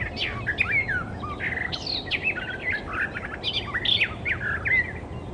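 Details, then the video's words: Icterine Warbler in the wild, energetic song of scratchy chatters alternating with clear whistled notes and squeaks, phrases run together without pause over faint outdoor noise. "Burung Kicau Alam Liar (Icterine Warbler birds )Burung Icterine Warbler-Burung Kicau"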